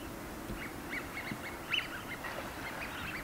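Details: A small party of Eurasian wigeon, males and a female, on the Seno River in Hiroshima, Japan, on 17 March 2018 before spring migration. Males raise their wingtips and call toward the female; a paired male calls at rival males. Several birds give faint, repeated whistles over a low background rumble.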